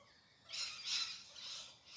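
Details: Galah, a pink parrot, in Perth's urban area early in the morning, uttering a drawn-out harsh screech that swells, peaks and fades over about a second and a half.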